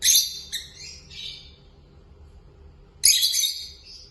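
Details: Two peach-faced lovebirds kept together chirping: harsh high screechy notes in a quick cluster, a silent gap of about two seconds, then another loud rasping burst.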